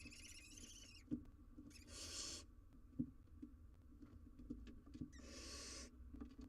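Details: Wild barn owl owlet on a live nest cam struggling to eat a very large giant jird. Two long, harsh, breathy hisses of about half a second each, separated by soft thumps and scratching.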